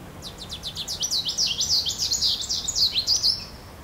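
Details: Goldfinch calling: a rapid, twittering run of high, sharp notes sweeping down and up, about three and a half notes a second, swelling in the middle and fading at the end, over faint low background noise.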